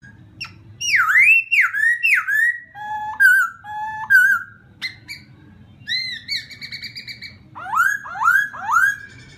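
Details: A provoking laughingthrush song: vigorous swooping whistles, level piping notes, a held harmonic tone, then a rapid series of loud downslurred calls, all over a quiet low hum.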